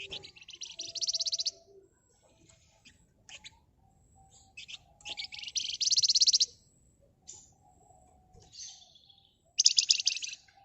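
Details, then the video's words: Flamboyan bird singing energetically in its rapid ngebren style, used as a lure to make other birds sing: three bursts of fast, dense high trilling a second or so each, separated by quiet gaps with sparse chirps. "Burung Flamboyan Gacor Emosi Ngebren Rapat Nyerecet Cocok buat Pancingan"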